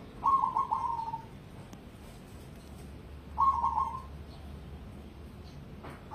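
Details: Competition-quality cemani zebra dove delivers two gentle, rolling trilled cooing phrases about three seconds apart, with a faint low hum between them.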